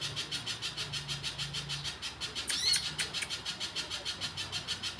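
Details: Vigorous Little spiderhunter song: rapid, evenly spaced chipping notes, roughly three per second, interrupted midway by a quick whistled sweep, over a faint low hum.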